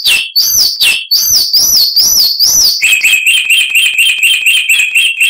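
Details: Chalk-browed mockingbird song, harsh-voiced, used as tutor recording for cage birds: quick wavering rising-and-falling high whistles, then an abrupt switch to a fast, even train of lower repeated notes.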